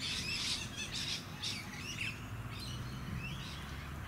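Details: Masked lapwing (Vanellus miles) at a small artificial lake on Queensland's Sunshine Coast in May 2018, giving harsh, scratchy bursts in quick succession, then thinner chirps, over low suburban rumble with other birdsong.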